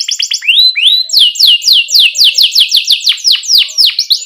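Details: Canary chirping for young birds learning to sing: rising whistled notes, then a steady series of loud descending sweeping chirps, about three per second.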